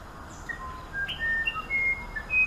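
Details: Musician wren, native to humid Amazon forest in South America, known for its elaborate song: a series of clear, pure whistled notes at varied pitches, some sliding, spaced irregularly over a steady background hiss.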